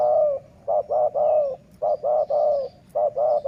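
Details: Rapid dove cooing during decoy luring. Back-to-back phrases of short notes and longer mellow coos run continuously with barely a pause, loud and close.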